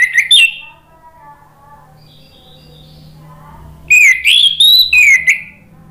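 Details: Orange-headed thrush (anis merah) lure song meant to draw replies from birds that have stopped singing: a brief whistled note opens, soft distant tones follow, then a loud run of slurred, rising and falling whistles.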